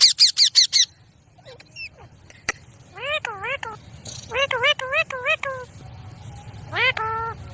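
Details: Indian ringneck parrot in a village setting: a fast train of five piercing screeches, then several wavy, undulating harmonic calls in short groups, with low outdoor hum beneath.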